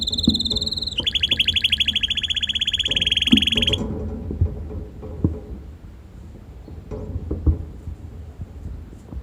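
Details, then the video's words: Hand-tame red canary singing outside in the garden: a steady high trill, then a fast buzzy rolling rattle for about three seconds, ending abruptly into quiet background noise with faint knocks. "手のり赤カナリア鳴き声 囀り🐥Hand-Ride Red Canary Bird Siinging"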